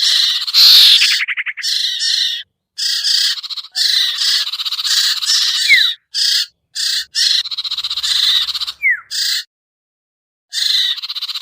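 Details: Sirtu bird calls played as a lure for hard-to-catch birds: an opening harsh burst and rattle, then many choppy raspy buzzes of varying length in quick succession, ending after a pause with another buzz.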